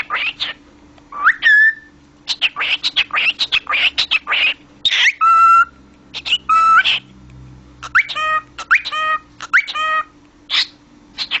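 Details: Pet cockatiel talking, mixing bursts of scratchy speech-like chatter with upward-sliding whistles and several held, level whistled tones, the phrases tumbling on for over ten seconds above a soft low hum.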